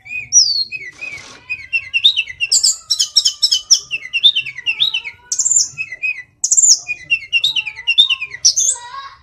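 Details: Lively, varied song of a Hill Blue Flycatcher (tledekan gunung): short whistled notes, rapid twittering clusters and sliding phrases tumble on for several seconds with brief pauses between bursts.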